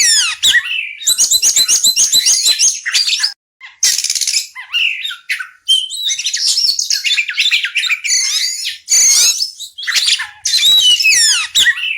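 Oriental magpie-robin chirping in a rich, varied stream of sweet whistles and buzzy, scratchy notes, high-pitched and nearly continuous with short pauses.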